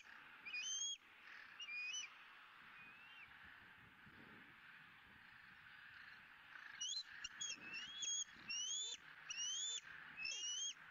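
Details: High, piercing rising squeals from a bald eagle eaglet at its Southwest Florida nest, 20 April 2017, while fed the day's second fish; a few squeals, a pause of several seconds, then a rapid burst of repeated notes.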